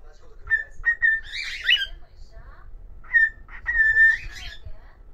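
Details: Pet cockatiel singing a solo whistled melody: short level whistles run into a scratchy, noisy flourish, and the pattern repeats after a brief pause.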